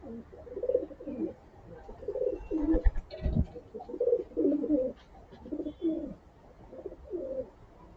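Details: Hungry pigeons being fed grain in the morning, giving a run of low, rolling coos in bursts about every half second to a second, with a brief thump of handling noise in the middle.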